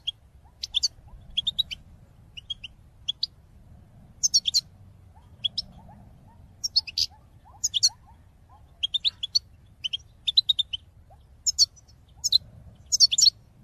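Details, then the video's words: European goldfinch call song for motivating caged birds: repeated bursts of sharp tinkling, buzzy twitters every second or so, over a faint low murmur. "Top chant d'appel chardonneret pour motiver vos oiseaux"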